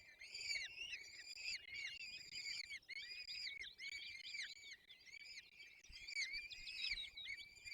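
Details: Peregrine falcon chicks being fed at the nest in the Barycz Valley, Poland, on 22 April 2024, giving continuous shrill, wailing begging calls in dense overlapping bursts, each drawn-out cry slurring slightly up then down.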